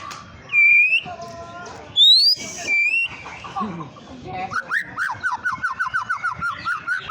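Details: Lure song of a white-rumped shama meant to provoke rival birds: clear high whistles open, then a fast series of repeated down-slurred notes rolls on steadily for several seconds.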